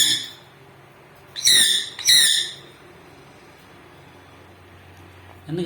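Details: Sun conure parrot kept as a pet, calling as though asking for something: a pair of loud, grating screeches in quick succession, then quiet, with a person's voice beginning at the end.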